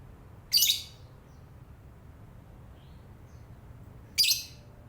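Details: Lovebird chattering in the morning: two sharp, shrill screeches, each about a fifth of a second long, spaced roughly three and a half seconds apart, with a quiet low hum between them.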